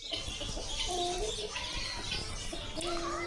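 Several Black Burma chickens cluck and murmur together in short, overlapping notes, with the steady hum of a busy farm shed behind.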